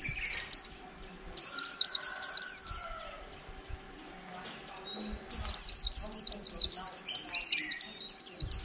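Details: Líu-style song from a white-eye caught from the wild and caged for over a month: quick high twittering phrases of fast downslurred notes, separated by a two-second quiet gap, with faint background chatter.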